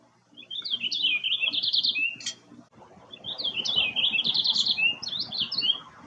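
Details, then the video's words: A male purple finch, one of a pair that arrived in a backyard in Québec to spend the summer, sings two rich, rapid warbling phrases of about two seconds each, tumbling up and down at a high pitch over faint hiss. "Roselin pourpré, chant / Purple finch, song"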